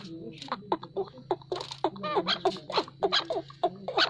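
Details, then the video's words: Chukar partridge: irregular, grating chuck calls and nasal clucks, some in quick pairs, set against a constant low hum. "Chakor Partridge Voice | Chakor ki Awaz"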